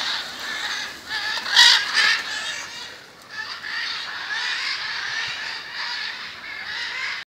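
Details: Macaws gathered outside a house in Jaumave, Tamaulipas, February 2015; a loud harsh screech opens a continuous chatter of rasping calls from the flock.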